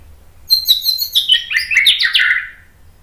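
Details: White-rumped shama song used as a training lure: after a quiet start, a tumbling phrase of high whistles and chirps slides downward into lower, richer warbled notes before fading.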